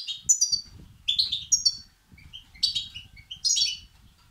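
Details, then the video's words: Begging calls of European goldfinch chicks, meant to stimulate males: scattered high twittering bursts, some rising, some descending, in uneven clusters with brief gaps and a soft low background hum. "بتبتة وستستات فراخ الحسون الأقوى لتحفيز وتهييج الذكور"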